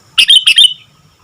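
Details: Sooty-headed bulbul singing actively delivers a brief burst of three or four bubbly, chirping whistled notes in quick succession, lasting about half a second, then silence.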